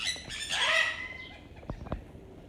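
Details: A sun conure in a zoo's Birds of Paradise exhibit, part of an all-male flock of 14, gives one harsh, grating squawk of about half a second, followed by a couple of dull knocks.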